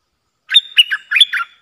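Streak-eared bulbul giving a quick burst of four bubbly, warbling notes in about one second, mid to high pitched, with no other sounds.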